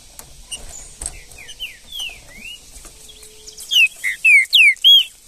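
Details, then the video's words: A green-winged saltator singing in the wild bush: faint distant whistles first, then a loud, rapid phrase of five ringing slurred whistles at the end. "MUITA FIBRA trinca ferro no mato"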